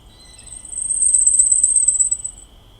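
A Blackpoll Warbler gives a very high, thin, rapid run of ticking notes that swells in the middle and fades over about two seconds, over a faint low rumble.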